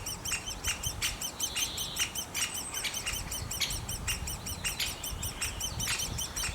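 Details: Great spotted woodpecker nest: a rapid, regular train of high arched chirps, broken by louder harsh broadband bursts and a brief buzzy note, with some low rumbling noise.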